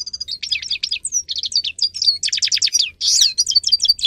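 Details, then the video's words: Grey-crowned goldfinch (Carduelis caniceps), a singer kept for training, delivering a fast, dense song of twittering trills and buzzy notes, with sharp chirps packed closely together and a harsh rasping burst near the end. "(Carduelis caniceps) Goldfinch song Best for training"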